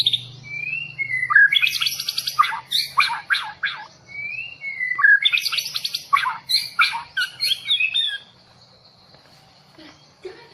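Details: White-rumped shama of the long-tailed Bahorok type, fresh from the forest, gives two matching phrases, each a rising whistle followed by a dense, loud burst of chattering and rattling notes, then falls quiet.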